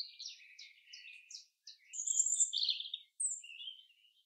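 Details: Common chaffinch song in the forest: quick repeated notes descending in pitch, then a bright high trill and a rolling end flourish, followed by a shorter extra phrase.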